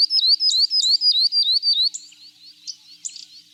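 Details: Northern grosbeak-canary (Crithagra donaldsoni) giving a string of sharp, regularly spaced down-up whistles over about two seconds, then quieter scattered squeaky notes.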